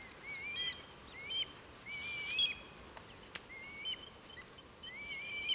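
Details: Part of a flock of over 100 Red Kites, East Northants, recorded 23 November 2015; repeated clear whistled mewing calls, wavering and overlapping from several birds, with a few sharp clicks.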